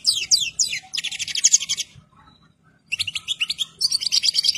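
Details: Song of a European goldfinch in full breeding condition: two dense runs of bright, chattering, high-pitched notes broken by a one-second silence, over a soft background hum.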